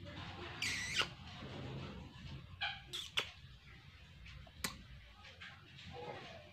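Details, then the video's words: A pet parrot chirps while playing with its owner indoors, giving a few short, bright chirps and a squawk at uneven intervals, as a woman talks softly to it in between. "bird chirping sound"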